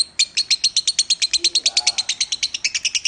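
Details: Minor-style singing by a lovebird nominated at the Piala Raja contest. Some twenty bright, high-pitched chips come in a steady, rapid stream over about three seconds, with a faint low sound partway through.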